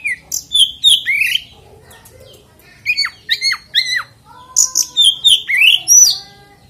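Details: Oriental magpie-robin performing a song intended to provoke rival magpie-robins into singing: repeated short whistled notes, many with downward slurs, delivered in three spaced bursts of brisk, lively phrases.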